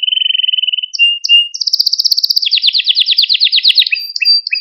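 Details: Malta canary song played to stimulate and excite canaries and train young birds: a steady high whistled trill, then a short clear note and a long rapid buzzy roll sliding lower, ending in brief whistled phrases.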